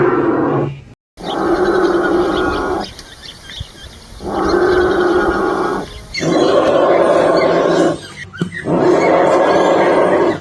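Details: An Australian bustard (Ardeotis australis) gives deep, hollow, roaring calls, each one to two seconds long, in a slow series over a thin high hum. Breeding-season males inflate their throats so the call carries far across open fields.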